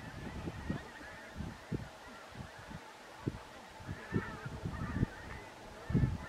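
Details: A flock of pink-footed geese (Anser brachyrhynchus) at Stiffkey, Norfolk, on 18 October 2020 calls with overlapping short honks and higher nasal notes in irregular bursts over a low rumble.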